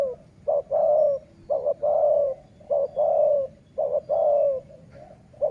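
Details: Sai muang style dove, kept for luring wild doves, repeating a brisk pattern of double short notes and a long falling coo about five times in close succession.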